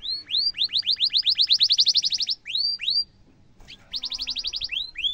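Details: Sharp rolling trill of a canary, said to set mute canaries answering and used to train young ones: hooked whistles leading into a dense fast trill, a few slow upslurs, a gap, then another rapid trill.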